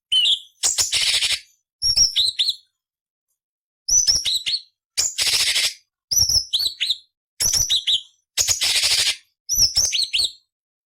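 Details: Cucak cungkok giving coarse 'nyerecet' variation phrases as master material for other songbirds. A regular series of short phrases, each a sharp high whistle and a dense scratchy buzz, repeated roughly every second.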